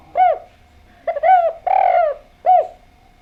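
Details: Spotted dove in full song, played to lure other doves into answering: four mellow coos, each arching down, with a short double note before the third and a longer drawn-out third coo. The background is quiet.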